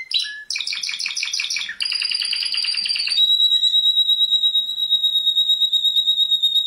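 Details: Champion canary song: clipped high notes and a fast stuttering series, then a rich trill that glides into a long, steady, high rolling tone.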